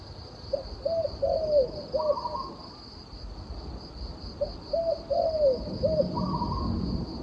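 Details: Turtle dove giving soft cooing phrases, a short note followed by a longer slurred coo, repeated in two bouts; a higher brief call near the start of each bout and a steady high insect-like whine throughout.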